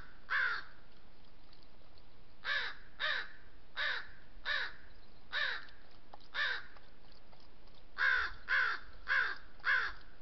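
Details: A group of crows lays claim to a water trough, cawing disapproval at a lone coyote drinking in Southern Sierra Nevada oak woodland. Harsh caws come singly and in pairs, ending in a fast run of four.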